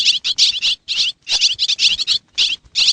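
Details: A swiftlet from Xiangkhouang, Laos, gives short groups of piercing, fast chirps. Clear silent gaps separate the groups.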